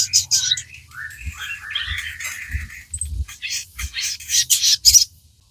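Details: Crimson Sunbird (sogon) in chattering song used to prompt captive birds to sing: rough, buzzy high warbling with jumbled notes, dense and slightly muffled.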